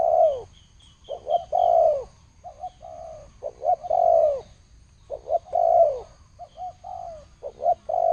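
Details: Spotted dove giving thổ sấm style cooing, low mellow phrases of short clipped notes followed by long descending coos, repeated about every two seconds; faint high chirps of another bird near the start.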